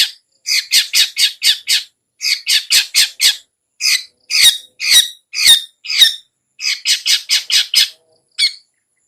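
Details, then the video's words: Ngetet-style long-tailed shrike sound, meant to provoke a reluctant caged shrike into song: harsh, squawky notes fired in fast groups of four to seven, about two per second, with short gaps between groups. "SUARA CENDET NGETET‼️Pancingan Ampuh Untuk Burung Cendet Lelet Bunyi"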